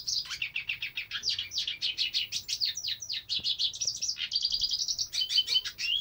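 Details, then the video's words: A hooded siskin sings a long, fast twittering run of high, buzzy chirps and trills, with scratchy notes mixed in and barely a pause. "cabecita negra cantando"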